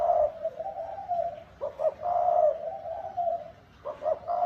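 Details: Spotted dove cooing in the 'thúc bổi' style: two short hollow notes followed by a long, low, steady coo, with the phrase starting again within a few seconds.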